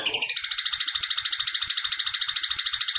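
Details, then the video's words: Long-tailed shrike, locally cendet, singing petir-style tutor song aimed at spotted cendet trotol: a steady, very fast, high-pitched trill held for seconds, about a dozen pulses each second. "masteran cendet petir"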